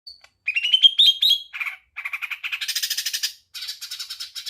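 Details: Greater green leafbird, a small cucak ijo mini, in energetic gacor tembakan song: a rising whistled run, then dense buzzy chattering phrases and rapid trills, varied and high-pitched throughout.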